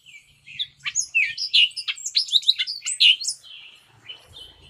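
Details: Hispaniolan oriole of Hispaniola, between the Dominican Republic and Haiti, pouring out a fast continuous jumble of sharp sweeping whistles and chatter, fading into softer notes with faint low background noise at the end.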